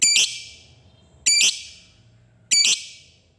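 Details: Lovebird of the fighter type in its 'ngetik' phase, a lure to get other lovebirds calling: three loud, rasping high-pitched squawks spaced roughly one and a quarter seconds apart, each trailing off quickly.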